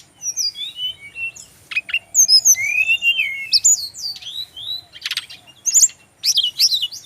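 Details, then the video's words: Male brown-chested jungle flycatcher song used for training birds: varied whistled phrases, sharp falling slurs and buzzy rising notes in bursts, with brief rattling clicks and short pauses between phrases. "suara burung SIKATAN RIMBA INi"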